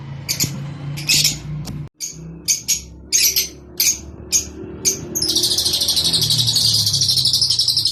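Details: Rosy-faced and Fischer's lovebirds calling to stimulate breeding: irregular sharp, shrill chirps about twice a second over a low hum, then a sustained fast, rattling high chatter for the last few seconds.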